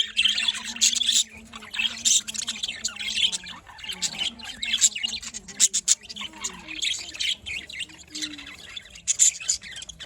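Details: Morning budgerigar chirping: busy, overlapping high tweets and warbles arrive in pulses every second or so, with a soft low hum in the background.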